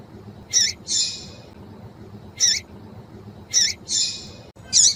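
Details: Female yellow-bellied seedeater calls intended to make males sing: high chips each followed by a drawn-out hissing buzz, the chip-buzz pairs repeating about every second, with low hum beneath.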